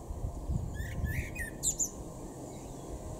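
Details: Male common blackbird in a garden in Weener, East Frisia, northwestern Germany, April 2022: a short, low, fluted warble, then a thin, high, squeaky twitter toward the end, over a steady low background hum.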